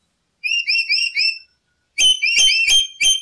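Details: Lory sounds used as a lure: four smooth, shrill whistled notes in a row, then a denser burst of harsher, clicky-edged whistles repeated rapidly.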